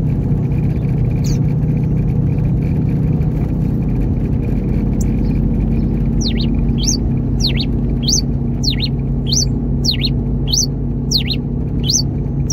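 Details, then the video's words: Moulting caged rufous-collared sparrow, grey king type, singing in a car: a lone high note, then a steady run of about eleven rising and falling whistles, under constant heavy road and engine noise. "TICO TICO REI CINZA CANTO 21 PURO COMPASSADO NO CARRO!!!"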